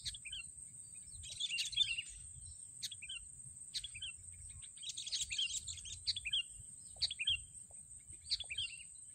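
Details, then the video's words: Sooty-headed bulbul recorded while being lured and caught with a racik trap; bursts of chattering, bright descending chirps cluster around two and six seconds, with scattered single notes, over a steady high-pitched whine and low rumble. "mikat burung kutilang memakai racik memang handal"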